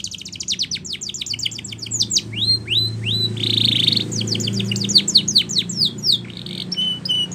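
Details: Spanish Timbrado canary singing a training song: rapid descending trills, rising whistled notes, a buzzy roll in the middle, more fast sweeping notes and a flat whistle at the end, with a noticeable low humming background.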